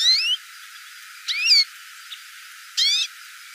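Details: A hooded siskin calls with three quick bursts of high, bright twittering whistles with sweeping, slurred notes. The bursts are spaced about a second and a half apart; otherwise quiet.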